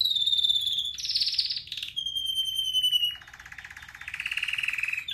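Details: Red factor canary from a pet breeder singing: a pure sustained whistle, a rough high buzz, another long level whistle with overtones, then a lower rolling trill that swells.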